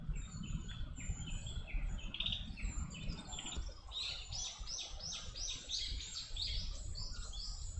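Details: Chestnut-cheeked starlings raising their young give scratchy chirps, then a fast run of harsh, repeated notes about twice a second, over a steady low rumble of wind.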